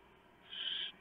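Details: Barn owl nest at night on 3 November 2015, with a male delivering a huge mouse and owlets being fed. A single short, rasping hiss of about half a second, rising out of a low electrical hum.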